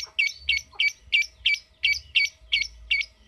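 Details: Lovebird making harsh, raspy chattering notes, about three per second, each a short squawky burst with a bright upper edge.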